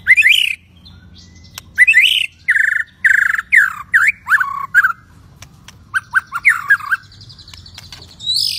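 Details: Agitated white-rumped shama singing to provoke other shamas into singing and fighting: loud, rich whistled phrases around mid pitch, repeated in quick bursts roughly every half second with short pauses, then a second run of phrases.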